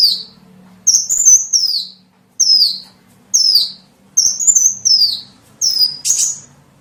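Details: Calls of a small bird used to lure small birds: high whistled phrases that slur downward, repeated about every second and a half, some with a brief rising lead-in; faint low hum.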